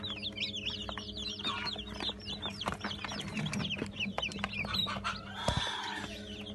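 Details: Newly hatched Brahma chicks, 80 in the 17 June 2018 hatch, give repeated arching high peeps in quick series, some descending, with a loud thump near five and a half seconds and an unbroken low hum beneath.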